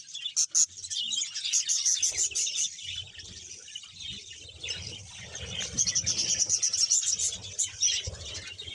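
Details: Colony of roughly 100 pairs of budgerigars in Bahawalpur: rapid clicking taps at the start, then a dense, continuous mass of high chirps and warbles from many birds.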